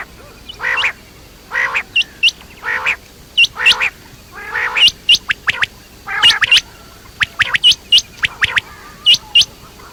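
Quail giving harsh, raspy bursts about every second, mixed with sharp, high whistled notes that flick upward, from what sounds like several birds.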